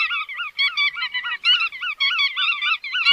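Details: Chắt đuôi vằn bird calling in a rapid series of nasal, wobbling notes, each rising and falling, repeated steadily.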